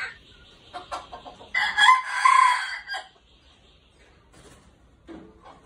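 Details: Golden-hackled red junglefowl decoy: short clucking notes lead into a loud, harsh crow lasting about a second and a half, followed by quiet and a faint low note.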